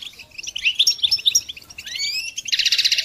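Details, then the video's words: Goldfinch song used for training songbirds: fast, liquid twittering. Quick chirps and trills are followed by rising whistled slurs, then a rapid buzzy rattle at the end. There is no other clear background sound. "integrated stimulation suitable for all songbirds for goldfinches"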